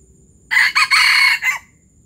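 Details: Palembang junglefowl giving a loud, harsh crow in three or four choppy segments, the long middle part raspy and strained, ending with a short clipped note against a quiet low rumble.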